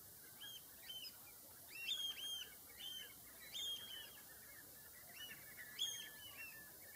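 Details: Common redshank uttering repeated high, ringing piping notes in loose clusters through the whole recording, some louder and clearer, against constant faint background hiss.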